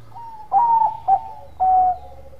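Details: A Bangkok zebra dove and prolific caller gives its coo to invite rivals to respond: a long wavering note, one brief hoot, and a long level closing note, with a faint low hum underneath.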